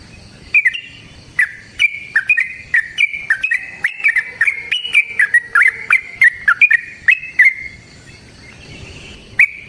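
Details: Yellow-vented bulbul pouring out long, quick fighting song as a lure for other bulbuls: a dense run of clicky, gurgling notes over about seven seconds, then fading to near silence with one final note.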